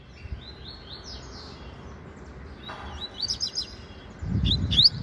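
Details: Caged double-collared seedeater (coleiro papa-capim), a promising young bird in meio canto style, singing a lot; faint high phrases early on, then sharper rising chirps near the end over low background rumble.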